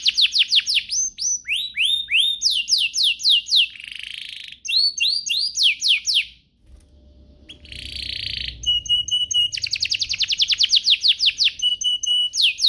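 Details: Canary song to make other canaries sing along: repeated descending whistled sweeps, a buzzy burst, a short gap with faint background noise, then rapid rattles and steady whistles.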